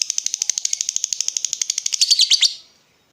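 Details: Lovebird lure for getting other lovebirds to answer with ngekek. A steady, rapid rattle of shrill repeated notes builds into louder squeaky notes, then stops abruptly, leaving silence.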